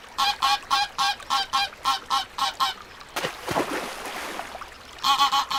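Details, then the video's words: Little ducks giving a fast run of nasal, harmonic calls, about three each second, broken by a burst of splashing water before the calling resumes. "صوت البط الصغير صوت البش بطوط جميلة"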